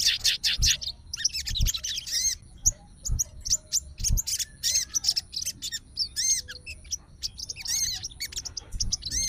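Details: Sooty-headed bulbul of fighter type, agitated and answering a bulbul recording as it calls a rival: broken bursts of shrill, slurred chirps and rapid ticking notes, separated by short pauses, with dull knocks beneath.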